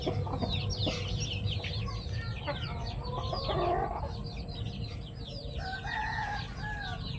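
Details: Pet chickens produce a dense mix of high downslurred peeps and some lower, longer calls, many birds overlapping, set against persistent low background noise.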